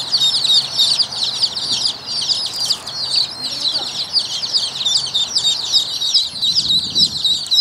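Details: Young Rouen ducks in a brood keep up rapid, overlapping high-pitched peeps, a busy constant twitter, with brief faint human voice and low background noise.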